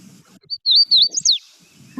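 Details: Hooded Warbler song played back during a birding report on common birds and migrants: a clear series of high whistled, slurred notes that rise and fall, ending in a quick downslurred phrase, with faint low background murmur.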